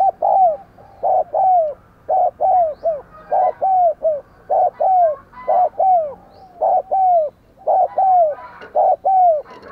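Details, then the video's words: Spotted dove used as a decoy, calling to draw wild doves and make them sing. Paired coos repeat steadily, a short note then a longer downslurred note, about once a second, with faint softer notes behind. "Chim Cu Mồi Thúc Gù Và Gáy Gọi Cực Sung"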